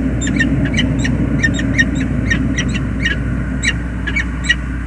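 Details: Peregrine falcon pair at a nest on the James River Bridge, USA, 20 February 2022: the male waits as the female arrives for a tender meeting. Short sharp chipping calls repeat quickly over a steady low traffic hum.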